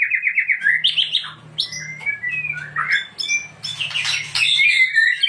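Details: Varied, fast song of a white-rumped shama, opening with a quick run of repeated whistled notes, then mixed high chips, slurred whistles and harsh scratchy bursts, with a low steady hum underneath.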